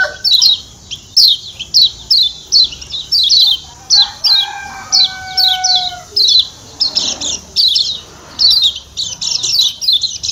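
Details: Lombok white-eye (kecial kuning) in a long 'ciak ciak' sequence used to stir birds up: rapid high falling chirps repeated steadily, with a held tonal note in the middle.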